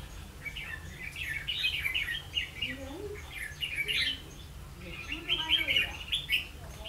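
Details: Red-whiskered bulbul heard during bird trapping on 16 October 2016, giving rapid bubbly warbled phrases in two main bursts, with lower, softer sliding notes underneath and a constant low rumble.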